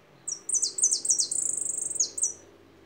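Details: High, bright goldfinch song: a string of falling slurred notes, then a rapid pulsed buzzing trill, then two more downslurred notes to close.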